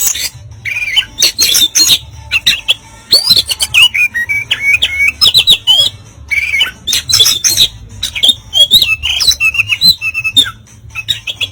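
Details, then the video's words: Energetic Oriental magpie-robin song of the harsh 'kasaran' type, meant to make an opponent puff up: long, busy sequence of high whistles, trills and rasping notes in tightly packed phrases, with constant low hum beneath. "Materi Kasaran Burung Kacer Gacor, Bikin Lawan Gembung"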